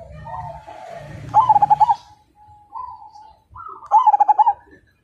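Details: Majapahit perkutut, or zebra dove, sings two loud pulsed coo bursts introduced by soft drawn-out notes. A brief low murmur, possibly a voice, is heard early on.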